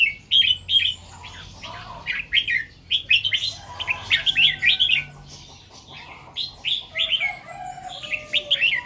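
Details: Morning song of a red-whiskered bulbul in the doubled 2-3 and 'rik' styles: repeated bouncy phrases of bright whistled notes separated by short gaps, with faint lower whistles behind.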